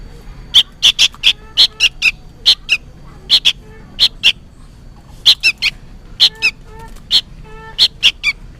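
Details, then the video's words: Noisy juvenile sooty-headed bulbul seemingly calling its parent, delivering a dense run of loud harsh chirps, singles and quick pairs, with hardly a pause. "suara burung kutilang anakan gacor ribut seperti memanggil induknya"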